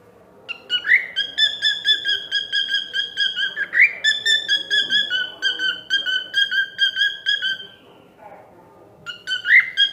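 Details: Cockatiel singing a bright, whistled phrase of rapid, evenly pulsed notes, opening with upward-sweeping whistles and held on a steady pitch for several seconds, then pausing before starting again.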